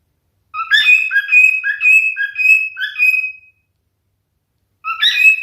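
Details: A male cockatiel sings a three-second whistled phrase of clear, slightly wavering notes with a long sustained tone and lower interjections, then starts again after a pause.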